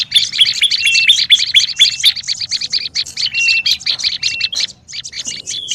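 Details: Olive-backed tailorbird in noisy lure calling: a busy run of sharp buzzy chips mixed with short flat whistles, a brief pause near the end, then more chips.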